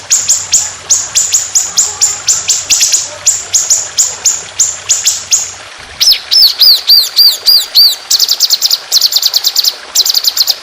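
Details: Trotolan, an Indonesian songbird, in a masteran training recording with trickling water, sung in a fierce, long, harsh, continuous shooting style: sharp downslurred ticks about three per second for six seconds, then arched slurred whistles and bright buzzy trills.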